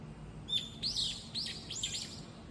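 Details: A lone bird calling frantically while moving among four or five nearby perches. A thin whistled note is followed by three or four shrill, hurried chirps that sweep down sharply, with faint low rumble behind.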